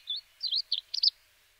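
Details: A crested lark in Córdoba, Spain, gives a quick run of five clear, high whistled notes, slurred and warbling, packed into just over a second, with a quiet background.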